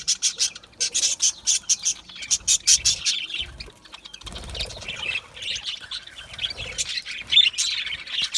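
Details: Budgies kept in an aviary chatter with quick high chirps in bursts, then softer scratchy warbling; low rumbling knocks and some wing flutter in the background.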